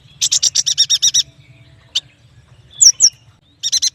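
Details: Yuhina singing, also called prenjak batu, a lively chattering bird: rapid bursts of high buzzy repeated notes, a single sharp chip, then two bright rising whistled notes and another quick buzzy burst.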